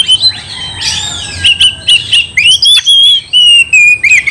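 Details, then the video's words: Gacor oriental magpie-robin singing to provoke another magpie-robin: a few arching slurs, then crisp short whistled notes repeated in a steady pulse, ending in wavering tones. "Kacer gacor bikin kacer ngamuk"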